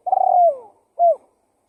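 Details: Spotted dove lure call used to attract wild doves: a long, low, slightly trembling coo that slides downward, then after a short pause a single clipped coo. No other sounds are heard.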